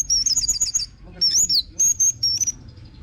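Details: Orange-headed thrush singing high, fluid warbled phrases, used as a lure to get other birds singing: a rolling trill, a looping slurred whistle, and short level whistles.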